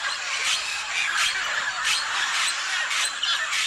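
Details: Macaws at the clay licks of Tambopata, where scarlet and blue-and-gold macaws gather. A dense, continuous chorus of harsh, raucous squawks overlaps throughout, with louder screeches bursting out roughly every half second.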